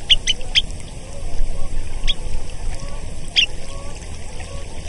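Semipalmated sandpiper giving short, sharp, high chirping notes: a quick run of three, then single notes spaced a second or more apart, over a steady low rumble of wind or surf.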